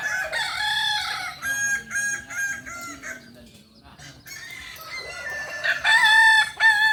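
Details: Kukuak balenggek roosters at a crowing practice contest in Panyakalan, Solok: long crows broken into stepped, level-pitched syllables, several birds overlapping, with a quieter gap midway before loud crowing resumes.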